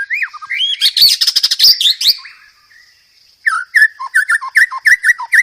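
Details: White-rumped shama song used as a master for training cage birds, rich in fill-in phrases: a fast rattling run of high buzzy notes, a short silence, then crisp repeated two-part whistles that drop in pitch.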